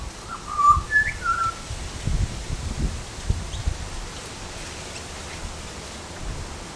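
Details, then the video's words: A butcherbird gives four quick, clear fluted whistles, rising then falling, within the first second and a half; after that only low rumbling wind noise remains. "Butcher bird call"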